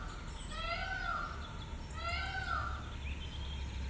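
A white peafowl gives two drawn-out, nasal, harmonic calls about one and a half seconds apart, each slightly arched in pitch, over a steady low rumble.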